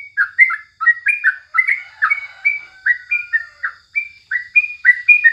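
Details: Morning song of a yellow-vented bulbul, used as a tutor recording: quick chirpy two-part notes that slur up and down, repeated steadily through the phrase against quiet surroundings.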